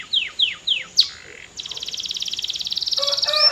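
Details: Canary song: four loud falling whistled notes, then an accelerating high trill that grows louder, with a lower buzzy layer joining at the end.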